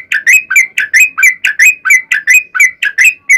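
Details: Sooty-headed bulbul in fighting-style song used as a lure to make other bulbuls sing back: rapid repeated rich whistled notes near the middle pitch, each with a bright overtone, about three per second, clean background.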